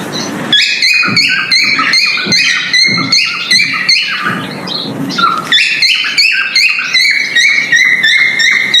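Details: Mating call from a male cockatiel while breeding: rhythmic phrases of short bright whistles, each preceded by a click, repeated about three times a second, with a brief low note and pause midway.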